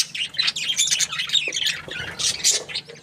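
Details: Happy budgerigar chirping: a dense, continuous stream of scratchy, high chattering notes and squeaky chirps with almost no pauses, over a faint steady low hum.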